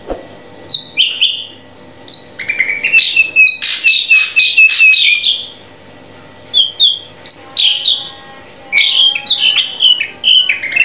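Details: Drongo song for training a captive bird to sing: short downslurred whistles and rapid buzzy chattering notes in irregular bursts separated by pauses.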